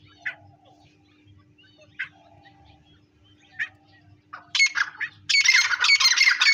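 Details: Grey francolin: three faint, short notes spaced roughly a second and a half apart, then a sudden outburst of loud, harsh, rapid squawking near the end.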